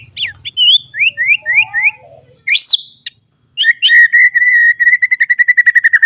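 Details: White-rumped shama song used as a training lure to get young birds singing: varied whistled phrases, a run of quick rising slurred notes, a sweeping upslur, then a fast even series of sharp repeated notes.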